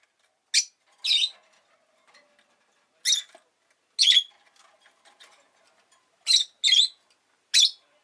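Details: Rosy-faced lovebird, kept as a pet, uttering sharp shrill squeaky chirps roughly every second or so, including a quick pair, with faint clicking sounds in the gaps.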